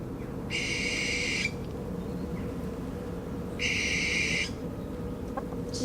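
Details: A barn owl call played back to chickens, who seem unbothered: two harsh, hissing screeches, each about a second long and three seconds apart, over a steady low rumble.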